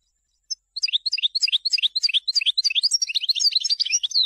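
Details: European goldfinch song selected for teaching young birds: after a lone note, a fast run of bright, high twittering notes, about three per second, tumbling on without pause through the clip.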